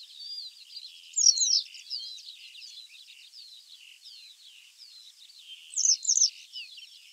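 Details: A Western Yellow Wagtail (Motacilla flava) calls with two bursts of thin, high, slurred sweeping notes about four and a half seconds apart, over steady high twittering from other small birds.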